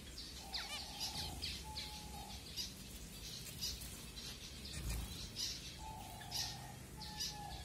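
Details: At food time, finches at Kumarapuram, Thoppur, Kanyakumari district, Tamil Nadu, India, recorded by Redmi Note 7: rapid high chip notes in quick runs, with steady flat whistled tones drawn out alongside and a faint wing flutter.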